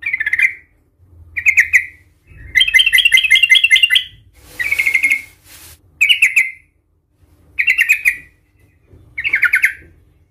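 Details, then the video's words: Sooty-headed bulbul in aggressive, excited fighting song used to provoke other bulbuls: short bright chirping notes in bursts around two seconds apart, with a longer rapid rattling trill in the middle, plus a faint low hum. "Suara trucukan gacor Cuk cuk ngamuk Tarung Garuda - Ampuh untuk pancingan trucukan agar bunyi EMOSI"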